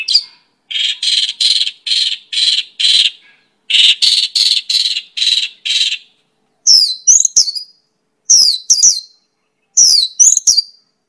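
Mongolian lark song: two runs of five or six harsh, buzzy notes, then high, clear whistled phrases that swoop down and up, in bursts every second or so.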